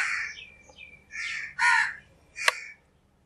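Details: Naturally recorded crow giving three loud, raspy caws in quick succession, the first long and descending, then a short harsh burst and a final clipped caw before silence.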